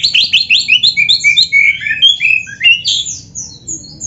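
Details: Oriental magpie-robin (kacer) in vigorous song full of canary imitations: a fast run of bright, descending chirped trills repeated about every half second, then higher sweeping whistles, over a low steady hum.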